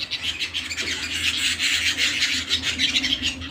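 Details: Indoor canary song: quick, bright repeated chirps run together into a lively, unbroken high warble, with a low steady hum in the background.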